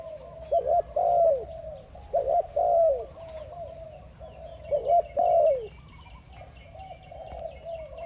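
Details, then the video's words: A spotted dove calls to another dove with soft, hoarse cooing phrases, each a quick rolling coo ending in a longer drawn note, three times in eight seconds; faint chirps behind. "spotted dove calling another dove"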